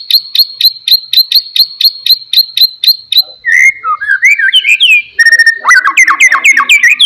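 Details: Oriental magpie-robin song meant to stir a quiet bird into singing: a fast series of sharp high ticks, then varied whistled phrases, slurred rising and falling notes and rapid trills, loud and clear.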